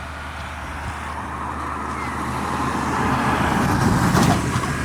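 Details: Steady road traffic rumbles throughout, a low engine drone swelling as a vehicle passes, with no animal calls heard.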